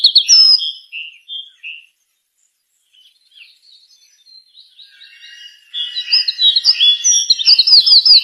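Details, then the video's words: At sunrise a bird sitting on a dry branch calls: a few clear high chirps, a near-silent gap with soft notes, then a dense burst of rapid overlapping chirps and trills. "چڑیا کی چہچہاہٹ"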